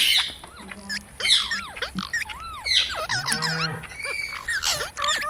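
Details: Parrot in a talking compilation producing swooping arched whistles, wavering chirps and harsh scratchy squawks, with a few steadier low held tones among the calls and constant faint hiss.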